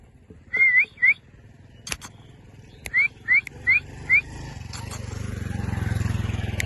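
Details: A pair of rose-ringed parakeets chirping: six short, clear whistled notes, each sweeping upward. Two come early, then four follow in quick succession about a third of a second apart, with a few sharp clicks and a low rumbling hum building toward the end.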